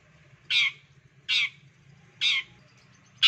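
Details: Long-tailed shrike, used as a master song to prompt lazy shrikes to sing: four harsh, buzzy bursts, each about a fifth of a second, spaced roughly every 0.9 seconds, with a low steady hum beneath.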